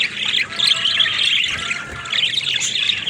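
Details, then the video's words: Pet budgerigars produce a rapid, scratchy warbling chatter with sharp squeaks layered over one another and a faint steady whistle running through the middle. "Funny Talking Budgies"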